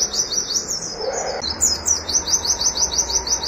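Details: Oriental white-eye song in the rapid 'nembak' shooting style, wit-wit notes: fast bursts of high, thin, sharply rising chirps repeated several times a second, with a brief pause midway, over a steady low hum.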